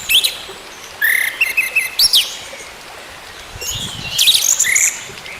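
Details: Orange-headed thrush song played as therapy to get a silent caged bird singing again; scattered loud whistled phrases and sharp buzzy high notes with pauses, over steady hiss.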